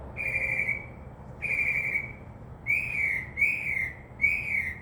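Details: Mockingbird perched in a tree by a window, singing at night and known here to copy crows and doves: long level whistles, then three shorter wavering whistled notes, all fairly loud against a faint low background hum.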